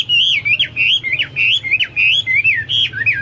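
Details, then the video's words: A Chinese hwamei pours out loud, clear whistled song of quick slurred phrases swooping up and down, delivered almost without pause, over a faint low hum. Chinese hwamei. "Burung Hoa Mi gacor"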